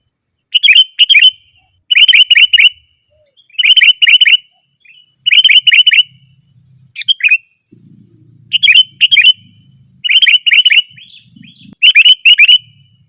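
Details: Sooty-headed bulbul in lively, nonstop 'gacor' rolling song, used to lure wild birds in the forest and to train kept bulbuls: bursts of three or four quick, bright chirpy notes repeated about every 1.5 seconds, with faint low rumbling between phrases.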